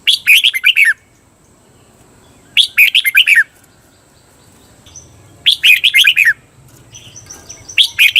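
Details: Caged red-whiskered bulbul's doubled (เบิ้ล) song used to teach other birds: short, clear warbled phrases of bright notes repeated roughly every three seconds, four phrases in all.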